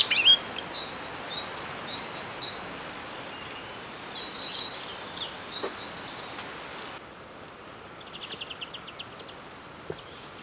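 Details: Common blackbird in early spring on the island of Sotra, west of Bergen, Norway, foraging on the ground and giving a high, twittering quiet song of short, squeaky phrases. A separate fast, even, high trill follows near the end.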